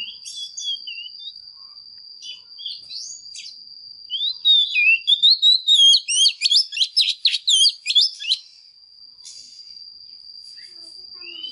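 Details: A female Oriental magpie-robin sings to provoke males, opening with scattered whistled notes, then a loud rapid burst of chattering, slurred phrases in the middle, over a constant thin high tone.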